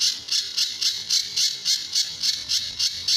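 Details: Sunda bush warbler (pijantur) master song, described as having distinctive tembakan and besetan phrases, used to train other birds; harsh, buzzy high-pitched rasps repeated about three to four per second in an even, steady series.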